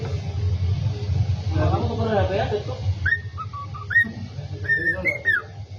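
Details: Human voices fill the first half, then a pet cockatiel picks up its learned tune "Kalau Kau Suka Hati" (If You're Happy and You Know It) with clear whistled notes, some falling and some bending upward, over a low background hum.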